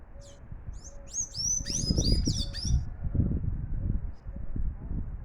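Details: Sayaca tanager singing a lot: a burst of high, squeaky, twittering notes with quick up-and-down slurs over about three seconds, then quiet, with low background rumble throughout.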